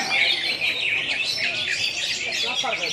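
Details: ['Competing greater green leafbirds, class A, at the Road to Presiden Cup IV contest in Pontianak, West Kalimantan, 3 April 2016, give a short burst of fluid high warbling and twittering, several birds overlapping.']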